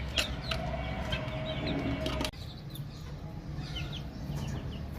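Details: Chicks chirping, quick thin peeps about three per second with sharp clicks in the first half, then an abrupt drop in level and softer falling chirps continuing over a low hum.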